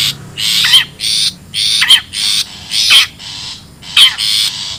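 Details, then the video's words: Long-tailed shrike, wild, sounding as a lure: rasping screeches roughly once a second, several ending in a steep falling whistle. "SUARA ASLI PIKAT CENDET,PENTET ALAM LIAR BUKTIKAN LANGSUNG PADA KUMPUL"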